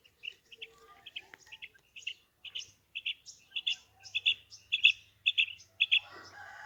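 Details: Female quail (maadi batair) calling: sharp high chirping notes, mostly in doubled pairs, repeated about twice a second and growing louder across the clip, with a brief rustle near the end.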